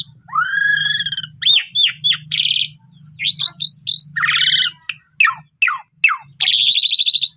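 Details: Asian pied starling (Gracupica contra) of the Javanese 'pundung' type, its song used as a lure to prompt stressed or silent birds to sing: loud, varied, rising harmonic whistles, slurred squeals and buzzy, scratchy bursts in quick succession over a faint low hum.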